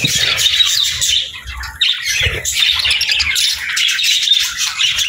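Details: Budgies sing in a flock: dense, squeaky warble with harsh, chattering notes, dipping briefly in loudness before picking up again.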